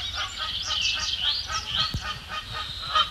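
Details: Canada geese bickering near Bubbler Island, Sapsucker Woods Pond, Ithaca, New York, in May 2017, among them a neck-tagged bird; rapid nasal honks come in quick overlapping bursts, with a single sharp knock in the middle.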